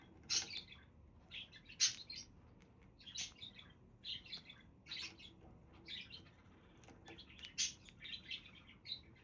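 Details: Pet budgerigars calling indoors, a series of short scratchy squawks and bright chirps in irregular bursts, some harsh, some warbled, with a quiet room background.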